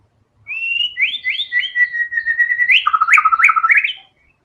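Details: White-rumped shama song with repeated upward whistled slurs, a held whistle, then a rapid run of loud zigzag warbles, delivered continuously for about three and a half seconds.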